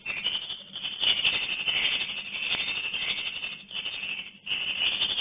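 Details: High, rasping twitters and rattles from a swiftlet colony entering a nesting house form an unbroken chorus, with a short dip in volume toward the end.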